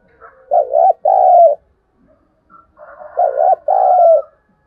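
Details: Spotted dove, a lure bird used to stir wild doves into calling back. Two loud, low cooing phrases about 2.6 seconds apart. Each phrase is a short wavering coo followed by a longer, slightly falling one, with faint softer notes between them.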